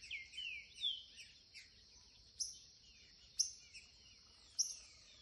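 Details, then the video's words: Curricutil-style song of a young green-winged saltator at a gate: a quick run of slurred whistles opens, followed by scattered sharp clicking notes against a constant high-pitched insect buzz. "TRINCA-FERRO curricutil FILHOTÃO"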